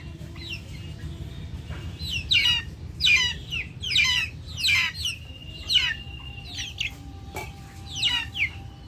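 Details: Backyard chickens giving loud, high, downward-sweeping peeps in clusters roughly every second, with a thin steady whistle running through part of the clip and a sharp click near the end.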